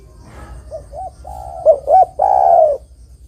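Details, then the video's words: One full spotted dove song phrase, recorded as a lure for trapping other doves: quiet short coos build into two sharp rising notes and end in a long, loud, falling coo. "Suara Burung Derkuku GAcor Untuk Pancingan Dan Pikat Derkuku Lain Pasti Nyaut"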